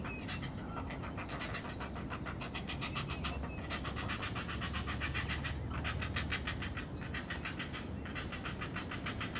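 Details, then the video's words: Begging of heron chicks during a feeding at the nest: fast rasping pulsed chatter in bursts separated by short pauses, over steady low-frequency rumble. "Feeding Heron Chicks"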